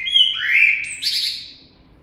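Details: Single common blackbird phrase: mellow whistled notes sliding down, then a sharp high squeaky flourish fading out.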